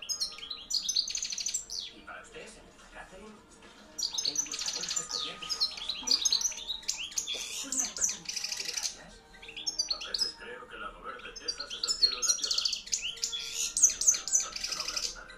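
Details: Hand-reared caged European goldfinch of the campero type, a 2013 junior bird kept among others, singing loudly: rapid, tinkling twitters and buzzy, metallic trills in long bursts, broken by brief pauses near four and nine seconds.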